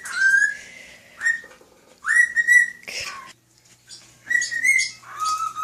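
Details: Male pet cockatiel whistling to a fish and other birds; rising, ringing tonal phrases in bursts about a second long, with rests between and a sharp squawky note mid-way.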